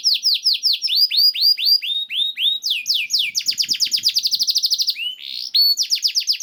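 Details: Canary song used as a training recording to stimulate canaries to sing: loud, continuous series of rapid downward-sweeping whistled notes, shifting into fast trills and rolling phrases, all high-pitched with no other sounds.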